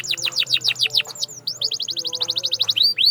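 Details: Singing canary for training: a series of sharp descending notes, then a fast even trill of short high chips, ending with two upward whistled slurs.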